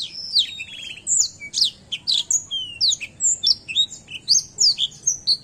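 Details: Black-throated canary (Crithagra atrogularis), song.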